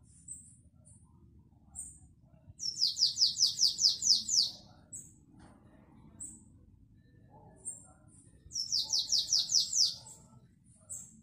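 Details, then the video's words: Canary singing classic Belgian-style song, 2021: two fast trills of about ten bright, high notes each, separated by a few seconds of scattered thin chirps, over a faint low hum. "CANTO BELGA CLÁSSICO"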